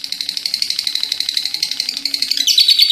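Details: Lovebird performing ngekek, its long chattering song: quick, evenly spaced high chips form a fast rattling chatter. Near the end it turns brighter and louder.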